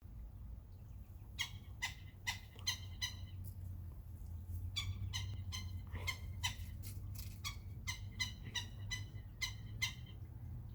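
A woodpecker gives bursts of harsh, nasal, rapidly repeated notes, several per second with short pauses, over a steady low rumble.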